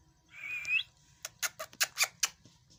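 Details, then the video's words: Pet parrot at home, one rising whistled note near the start followed by a rapid run of sharp clicks and short bursts like mimicked speech syllables. "my favorite parrot talking parrot speaking parrot"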